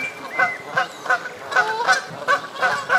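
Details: Canada geese honking while bathing on a pond in Midhurst, West Sussex, England; rapid, evenly paced nasal honks, about three per second, carry over light water sounds.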